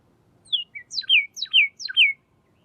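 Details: Pyrrhuloxia giving a short phrase: a single high slurred note and a brief lower note, then three loud, clear whistles, each sweeping down steeply and evenly spaced, against a quiet background.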